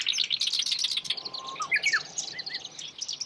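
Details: A black-browed reed warbler, filmed catching an insect, gives a rapid, scratchy chatter of high chips and trills with a few lower whistled slurs mixed in.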